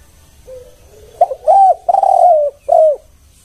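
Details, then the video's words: Spotted dove coos meant as a lure, kuk-one style: a soft, flat lead-in tone, a quick clipped note, then two long, smooth coos and a final short, down-curving coo. "Suara spesial pancingan TEKUKUR KUK1"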